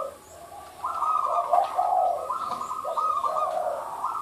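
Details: Zebra dove: a quiet start, then a sustained string of rapid, warbling coo notes stepping between two pitches, continuing steadily to the end.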